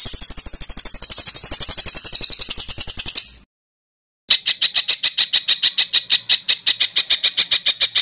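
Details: Bird song used as master recording for training competition birds: a high, rapidly trilled rattle for about three seconds, a brief silence, then a steady series of sharp, evenly spaced ticking notes around five per second.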